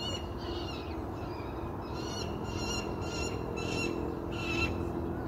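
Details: Peregrine falcon, thought to be one of a local family, gives harsh, grating calls in short bursts about once a second over a low rumble. Recorded at a UK allotment just before 7 am on a heatwave Monday, 18 July 2022.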